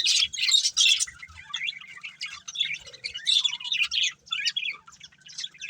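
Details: A breeding pair of budgerigars keeps up a busy, irregular twittering of quick high chirps and squeaky notes, running almost without pause and rising and falling in loudness.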